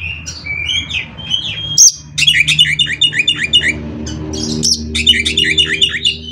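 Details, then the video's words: Oriental magpie-robin performing 'konslet' fill song to set other magpie-robins singing: a few clear whistles, then dense rapid chattering phrases repeated in quick bursts, over a low steady hum. "CUKUP DENGAN SUARA KACER INI, KACER LAIN JADI GACOR ISIAN KONSLET"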